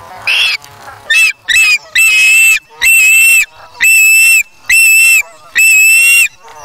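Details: Osprey chick at its nest on August 3, 2017, taking a fish from its parent and then feeding itself: loud, harsh whistled calls with ringing overtones, given in bursts about once a second, each lasting around half a second.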